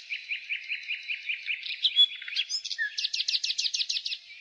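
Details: Nightingale singing in spring: a run of short, evenly spaced whistled notes repeated about six times a second, a sharp note, then a loud, fast series of rich, rounded notes. A steady, high hiss of background birdsong continues throughout.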